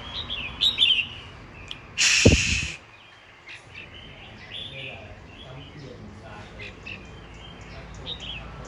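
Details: Caged Red-whiskered Bulbul, kept nearly a year in its cage and set near a road, described as not timid. Short bright warbled notes open, then a loud burst of noise, followed by faint scattered chirps.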